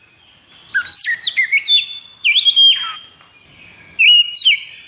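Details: White-rumped shama kept in a cage, in high breeding condition, delivering rich fluty phrases with swooping whistles and downward slurs, three phrases in under five seconds.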